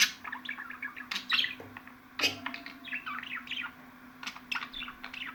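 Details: Budgerigars chattering in a busy stream of varied chirps and clicks, with sharper sudden squeaks scattered through and a faint constant hum beneath.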